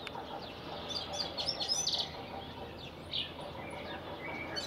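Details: Syrian serin singing at a church campus in Anjar, Lebanon, April 2021: a fast, high jingling twitter of short tinkling notes in uneven bursts, over a soft background hiss.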